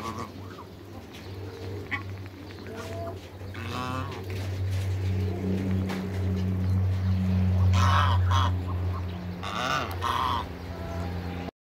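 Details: A pair of Toulouse geese in a backyard give a few short, nasal honks spread through the recording, over a steady low humming drone.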